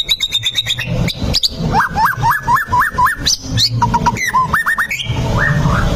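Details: White-rumped shama lure song, used to provoke a fighting bird into anger and into showing its full repertoire: quick rising whistled upslurs repeated about four times a second, with higher piping notes and chirps, over a steady low rumble.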